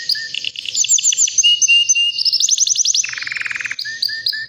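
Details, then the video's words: White canary around three years old sings varied tours: fast high pulsed trills, bright rattles, a lower buzzing roll midway, and short whistled notes, loud and continuous. "BEAUTIFUL WHITE CANARY NON STOP POWERFUL SINGING"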